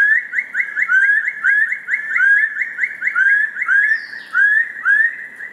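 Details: Rising whistled notes from a rufous-throated partridge come in a rapid series that slows and grows spaced toward the end, each note sliding upward; one brief downward-sweeping higher sound crosses midway.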